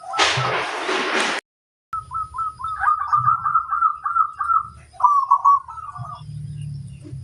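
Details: Zebra dove of a local strain in full song: after a brief loud rush of noise, a long chain of rapid, pulsing coo notes rolls on for several seconds, then a shorter second phrase, with low rumbling underneath.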